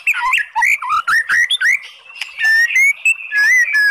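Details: Oriental magpie-robin song used to provoke a listless bird into answering: varied quick whistled phrases, slurred notes and clear rising whistles.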